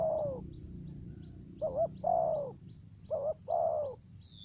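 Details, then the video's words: Lure spotted dove in the 'thổ dế' voice style: a few low, hollow coo phrases, each a short note then a longer falling one, with faint high chirps and a thin background tone. "Terkukur Mồi giọng thổ dế, kèm dập, giọng mai rừng"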